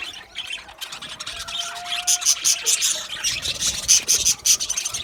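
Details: Aviary colony of budgerigars chirping together, a rapid jumble of high scratchy chirps and clicks with a few thin whistled notes, building in loudness after the first second.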